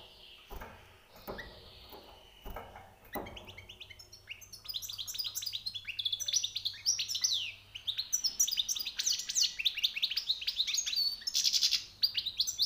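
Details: Goldfinch twittering builds into a long, dense run of fast chirps and trills after a few scattered knocks and clicks at the start, with a low hum in the room.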